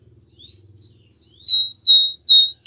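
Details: Spanish Timbrado canary song for training: sparse drawn-out pure whistled notes, gradually louder, with a faint low hum underneath.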